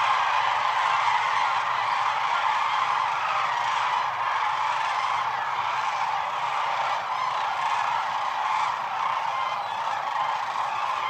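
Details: Sandhill cranes massed on the Platte River during their northern migration peak, several hundred thousand in view; a long, loud, dense tumult of rolling calls, individual voices rising and fading rapidly within the constant din.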